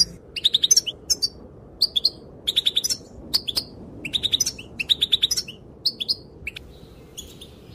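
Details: Female goldfinch calling, her calls said to make males dance; groups of fast, bright chirps in clusters of three to five, repeated about every second, over a low steady hum.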